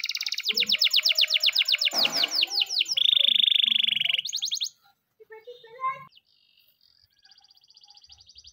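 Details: Canary training song in the morning: rapid repeated high chirps, a fast buzzy trill held about a second, then a brief quieter pause and a soft faint trill at the end.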